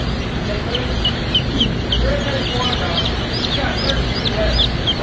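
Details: Many newly hatching Rhode Island White baby chicks, a production-type breed, at a hatchery: high, thin peeps that rise and fall in quick overlapping bursts, all over a steady low machine hum.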